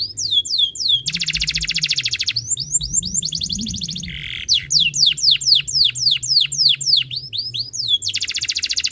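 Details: Canary tutor song played to prompt other canaries to sing: rapid series of steeply falling whistled notes alternating with dense buzzy rattling trills and a brief lower nasal burst, continuous and energetic, faint low hum beneath.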